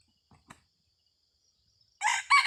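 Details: Red junglefowl decoy rooster used to lure wild junglefowl, recorded 30 October 2023: after near silence with faint taps, a loud harsh crow starts near the end, two strong bursts cut off mid-call.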